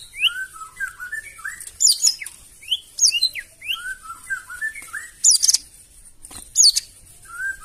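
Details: A white-rumped shama's loud challenging song, aimed at making other birds reply: a steady run of short slurred whistles interrupted by sharp high ringing bursts.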